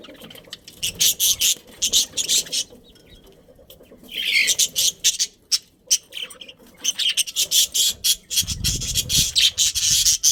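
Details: Budgerigars in a breeding colony chirping in loud clustered bursts separated by a quieter spell, with scratchy high chatter and some low rumbling toward the end.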